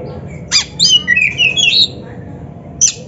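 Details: Oriental magpie-robin (kacer) training song played to stimulate a captive bird: short burst of sweet whistled and slurred phrases sliding between high notes, with a harsh chirp before and after, over low background hum.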